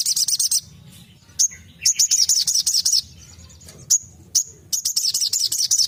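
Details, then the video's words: Sogon, or crimson sunbird, delivering tembakan song: bursts of very high, rapid chattering notes broken by pauses and single thin sliding whistles, then another quick rattling volley. "Tembakan burung sogon Ajib"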